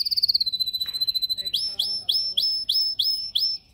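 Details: Yellow canary singing in a cage during song training, filmed on a Samsung S8 Plus phone: a fast high trill of about thirty notes, then a series of seven sharply rising slurred notes spaced about a third of a second apart.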